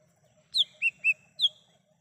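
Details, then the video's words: Lesser green leafbird singing in the wild, a recording meant as a lure for calling birds: a four-note phrase of a sharp falling whistle, two lower clear slurred notes, then another high falling whistle, over a faint low hum. "Suara asli cucak hijau mini / cucak Rante di alam liar bisa untuk pancingan dan panggilan"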